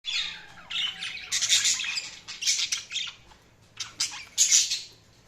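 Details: Budgies chirping in bright, scratchy bursts of chatter, several high squawky phrases rising and falling with short pauses between them.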